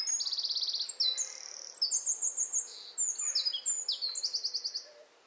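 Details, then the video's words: Eurasian wren singing a short song in a garden, nesting next to the house: loud, rapid, high-pitched fast trills and sharp twittering phrases, several seconds long with no pause. "Wren song"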